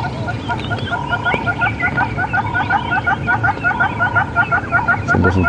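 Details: A male Red-billed Hornbill, its very red face possibly indicating mating time, gives a run of quick, clucking notes, about three a second, steady and insistent, likely a territorial call, over a low engine rumble and a man's voice.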